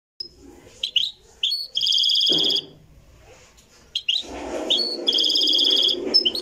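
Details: Moroccan goldfinch in a live recording, singing short bursts of bright, harmonic twittering notes broken by pauses, with low murmuring sounds and what may be voices between the phrases.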